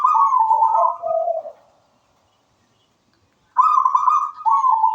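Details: Local zebra dove (perkutut lokal) singing in full voice: a rapid trilled coo near one pitch, dropping to lower rolling notes, then silence before another bright trilled phrase starts.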